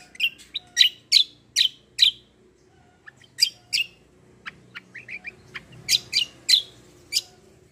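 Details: Black-winged myna singing in an energetic fighting style, delivered as bursts of sharp, high chirps in short clusters separated by brief pauses, with fainter quick notes between the louder phrases.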